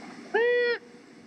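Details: A female Long-eared Owl in the Southern California mountains gives the nasal, harmonic, slightly rising half-second squawk heard when the pair duets, over quiet hiss. Such squawks are often confused with Great Horned Owl squawks.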